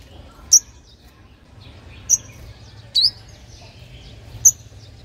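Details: Sunbird call used to attract wild birds: four thin, piercing high chips spaced irregularly, one with a short downward twist, over a faint low background.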